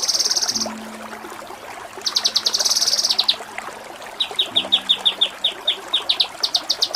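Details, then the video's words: Kinoi tutoring song in the nembak cililin style: a buzzy high rattle, a pause, another long harsh trill, then a quick series of crisp descending chirps ending in loud repeated notes, with a soft background hum. "Masteran Mewah KINOI || Ngepik Kapas Tembak || Nembak Cililin"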